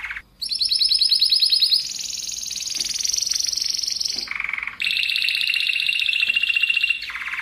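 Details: Spanish Timbrado canary singing in a tight rolling style, recorded as a tutor to train other canaries: long unbroken trills of rapid pulses that jump between high, piercing tours and lower, mellower rolls, with two brief pauses.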